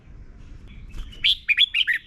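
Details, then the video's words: Red-whiskered bulbul song from Thailand, used so young birds learn to sing: after near silence, a short bright phrase of five fluty, slurred notes. "นกกรงหัวจุก - 30 นาทีทุกเช้า เพื่อให้นกเรียนรู้ที่จะพูดได้อย่างรวดเร็วและหนักแน่น"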